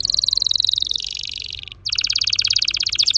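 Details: Red factor canary, orange-red, delivering fast rolling trills: a rapid pulsed trill gliding slightly downward, a brief pause, then a louder, faster rattling trill, with a quiet background.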